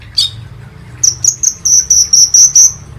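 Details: Sunbird called kolibri ninja, used as a lure to make birds sing: one squeaky note, then a steady series of about eight high, thin, slightly buzzy notes, each roughly a quarter second apart.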